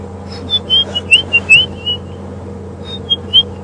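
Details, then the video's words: White-browed scrub robin calling on an August afternoon at Djuma Game Reserve, South Africa: a run of short, high whistled notes in quick succession, some rising slightly, then a pause and a few more whistles, over a steady low engine hum. "Can you hear that robin calling? So lovely."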